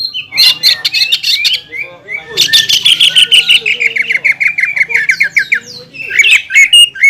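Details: Greater green leafbird, a caged contest-class bird, giving a rich, varied song: rapid chattering notes around high pitch, then a long run of repeated descending whistled slurs, ending with harsh bursts.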